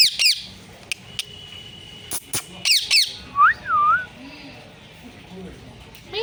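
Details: Pet parrot, presented as talking and mimicking phrases such as mummy papa and Sita Ram: harsh, sharp squawks in quick bursts, then a wavering whistled note that rises and falls, with quieter rasping sounds between.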